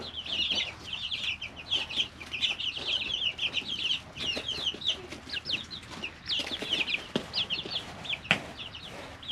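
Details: Chicks three weeks old, recorded naturally in their brooder: bright, high chirping peeps tumbling over one another almost without pause, plus a few tapping and clicking sounds.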